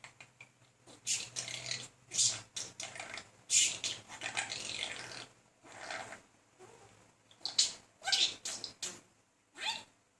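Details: Male budgerigar, a talking pet bird, persisting in courting another budgie; soft hissy, scratchy warbling in irregular bursts with a few clicks and sharper squeaks, moderately quiet, low steady hum beneath.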